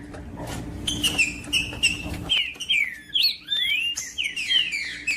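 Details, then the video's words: Green-winged saltator song used by breeders to stimulate a quiet caged bird: rich whistled notes, rising then falling in looping slurs that grow louder after a short start, over a constant low hum. "TRINCA FERRO CANTANDO"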